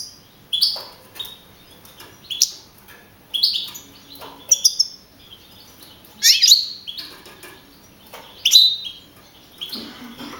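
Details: A young male European goldfinch from the Navalcarnero, Spain, campero song contest of 15 April 2012, where it placed first with 42 points. Isolated bright, twittering note clusters come every second or so, with quiet gaps between them.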